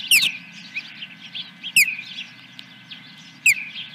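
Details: Osprey calling at the nest, Dunrovin Ranch, 10 July 2021 in the morning: three piercing downward-sweeping whistles spaced nearly two seconds apart, with faint twittering chirps in between and a low hum.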